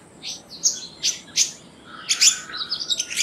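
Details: Black-naped monarch: a series of short, sharp, high-pitched notes, spaced roughly every half second, then a louder burst of rapid, high chirps and a fast twittering run at the end.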